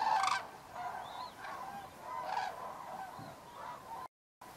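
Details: Common cranes flying in to roost on the evening of 3 October 2018 at Federow, Germany, in a dry autumn with low water. Many overlapping trumpeting calls blend into a continuous chorus, followed by a brief gap.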